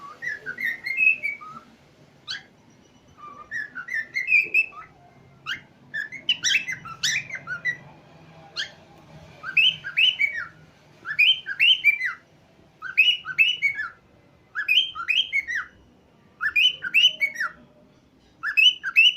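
A cockatiel whistles a lively song of rising and falling phrases, repeated in quick bursts.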